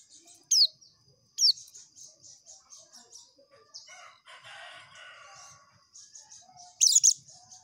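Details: Oriental white-eye in continuous rapid ngekek song: a steady high buzzy trill of quick pulsed notes, broken by a few loud sharp down-slurred whistles, with a brief rough noise midway.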